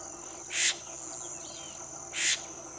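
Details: Adult Florida scrub-jay on sentinel duty high in a scrub oak, calling to alert its group to something in the surroundings, not really agitated: two harsh, rasping bursts over a steady high insect trill.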